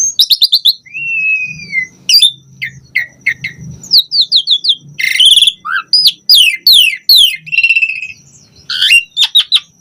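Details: Asian pied starling song, full and varied: sharp clustered chips, a smooth descending whistle, buzzy rasping phrases and rapid trilled bursts, delivered in lively rushes with brief pauses over a faint low hum.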